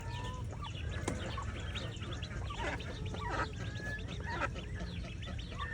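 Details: Mallard ducklings on a morning swim with their mother: many thin, high peeps and short chirps overlap in quick succession over a steady low rumble of background noise.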